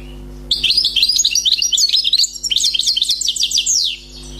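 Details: Wild-caught European goldfinch pouring out a lively, fault-free song for roughly three and a half seconds: dense tinkling twitters, quick trills and a closing series of rapid descending chips, over a low steady hum.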